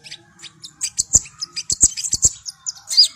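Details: Javan white-eye song used to train young birds to sing: scattered high chirps and quick twitters in an uneven string, with sharp clicking taps underneath and a faint low hum.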